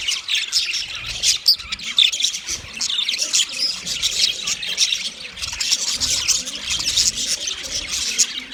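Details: White male budgerigars chatter in mating, a dense wash of high scratchy chirps, squeaks and warbled notes from multiple birds, steady throughout.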